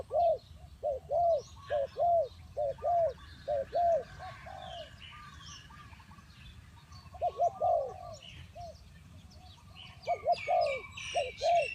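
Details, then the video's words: Spotted dove calling as a trapping lure: a run of loud hollow coos in quick pairs, a pause with quiet background, then another burst of coos with high chirps from other birds. "The Tekukur Pikat Cocok,The Sound of Spotted dove"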